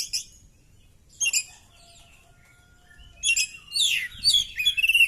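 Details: Oriental magpie-robin (kacer) fighting with tail spread, delivering scattered high chirps with long pauses, faint steady tones in the gap, then a dense tumble of buzzy, twisting notes at the end.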